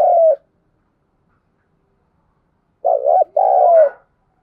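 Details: Spotted dove cooing at first light, with the style called thúc gù: a clipped coo fragment, then after a long pause a broken double coo and a longer falling coo, low and mellow.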